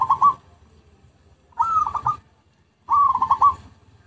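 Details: Zebra dove lure recording: three clean phrases separated by silence, each a quick upward coo dissolving into a fast series of pulsed, stuttering notes.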